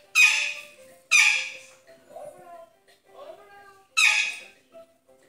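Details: Pet green rose-ringed parakeet indoors in a small room, talking because it wants to play: three loud, harsh, speech-like bursts, each rich and bright and fading quickly, with softer murmuring sounds in between.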